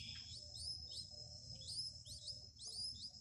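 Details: A mother bird, possibly a sparrow, feeds her newly hatched nestlings in a clay nest box. The nestlings give high, thin begging chirps in quick bursts about every second, over a steady high whine and a low rumble.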